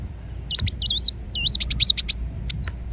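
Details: Energetic twittering from a ruby-cheeked sunbird in Indonesia: dense, warbled high notes and rapid sharp ticks packed into quick bursts, with a faint low hum behind.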